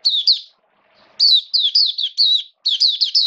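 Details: A hobby-kept Oriental white-eye, fed for wet rainy weather, 29 September 2022, sings short bright twittering notes, then after a gap a fast run of rising-and-falling high chirps, clean and close.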